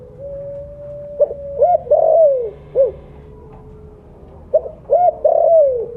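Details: Spotted dove of the blorok colour form used as a lure bird, calling loudly: a long level hum, then a series of short arched coos ending in a drawn-out falling note, phrase repeated twice.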